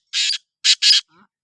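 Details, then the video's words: Black francolin giving a loud, harsh, rasping call in three broad scratchy notes, a longer first note followed by a quick pair, in otherwise silent surroundings. "Kala Teetar ki awaz | Black Frankoline Voice"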